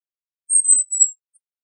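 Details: A Flame-crowned flowerpecker (Dicaeum anthonyi) in Banaue, Ifugao, Philippines gives one very high, thin, drawn-out note that sags slightly in pitch, followed by a faint tick, in otherwise quiet surroundings.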